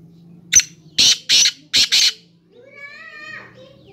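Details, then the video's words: Black francolin gives a quick run of four harsh, grating notes, then a drawn-out, wavering tonal call with a faint hum underneath. "کالا تیتر کی آواز"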